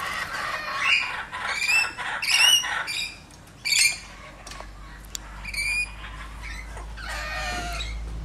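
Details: A lorikeet playing with a toy lorikeet gives harsh, buzzy squawks in bursts over the first four seconds, then scattered shorter calls and a final rasping burst, with low background rumble.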